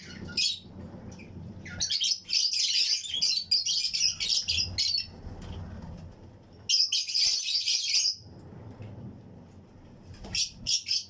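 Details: Colony of Fischer's and lutino lovebirds in a breeding flight-cage aviary, chirping with other birds around: long stretches of rapid, shrill chattering chirps in several bursts, separated by quieter gaps with low rumbling background.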